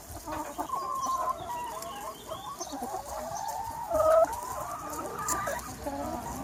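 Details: Large free-range chicken flock on a sunny spring day: overlapping clucks, drawn-out squawks and rising, warbling calls from many hens, with one louder call near the middle, over a steady background murmur.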